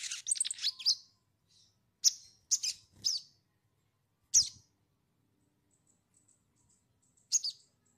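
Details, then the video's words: Crimson sunbird, a lure recording to prompt a young bird to sing: a quick burst of high thin trills, then separate sharp squeaky phrases spaced one to three seconds apart, with near silence between. "pancingan sogon bahan agar bunyi"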